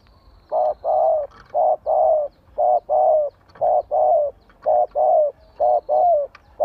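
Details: Spotted dove decoy bird giving provoking song meant to make wild doves answer: a steady run of short, mellow, hollow coos, about one each second, some paired, with a faint high whine in the background.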